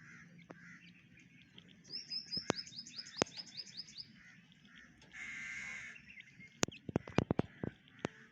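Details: White partridge chicks give a quick run of about eight high, thin peeps over two seconds, followed by a rushing noise and several sharp clicks and knocks.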